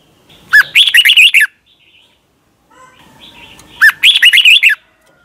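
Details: A Thai red-whiskered bulbul, kept as a cage songbird, sings for young birds to learn from. Two near-identical phrases of quick, lilting chirps are spaced about three seconds apart over a quiet background.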